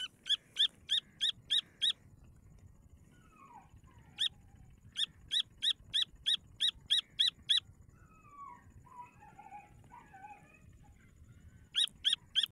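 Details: Grey francolin chicks give bursts of quick, piercing high chirps, several per second, separated by pauses. Softer, lower twittering calls drift through the gaps.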